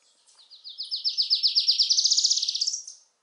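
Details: Adelaide's warbler, a Puerto Rican endemic of the southern dry forests, filmed in Ponce: a rapid high trill of about a dozen slurred notes that speeds up and climbs in pitch over three seconds, ending in a brief higher flourish.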